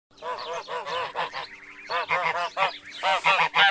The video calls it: Geese Sounds